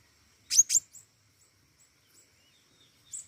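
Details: Energetic flowerpecker, the local pentis raja: a quick pair of sharp, very high chips followed by a fainter tick, silence, then another high note at the end.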